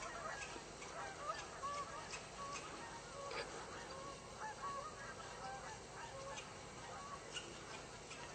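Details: Geese heard but unseen in Yellowstone give scattered honks, short nasal notes repeated irregularly, over a steady background hiss.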